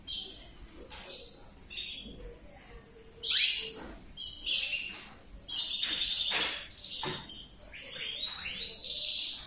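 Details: Male Gloster canary singing: a busy, continuous stream of high chirps, trills and buzzy notes with rising and falling phrases, over a noisy room background.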